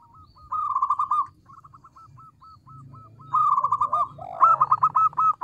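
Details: Zebra dove, local, in lively song meant to make others respond: a loud rolling coo trill, then soft spaced single notes, then two more loud trilled bursts with a lower slurred note between them.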